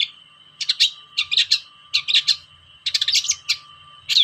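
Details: Long-tailed shrike, a lure recording meant to stir reluctant shrikes to sing, uttering rapid clusters of scratchy, chattering notes in short bursts separated by brief pauses, with a constant high tone underneath.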